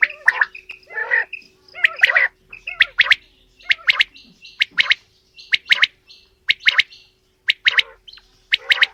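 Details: Quail, male and female calling in a mix: dense run of sharp clipped notes and short buzzy rasps, repeated steadily, over a low constant hum.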